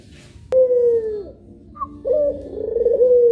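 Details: Puter pelung dove, one of two birds: a clean sliding coo that drops in pitch, a pause, then a second longer coo that rises and quavers before settling on a level tone.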